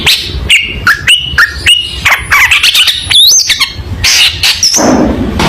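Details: Long-tailed shrike in lively song, used as a model for young shrikes: short clear whistles stepping up and down, then a fast, dense run of twisting high notes and harsh chips.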